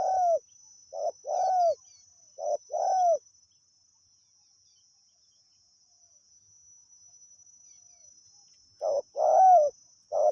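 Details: Wild spotted dove cooing at decoy-luring time: two-note coo phrases at the start, a long quiet pause, then the phrases resume. A thin insect whine hums continuously.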